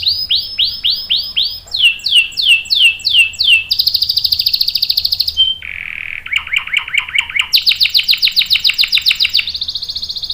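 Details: Canary singing varied rolling phrases for luring and tutoring young birds: sweeping downslurred notes repeated about twice a second, then high buzzy trills, a lower rattling section, and bright fast rolls in turn.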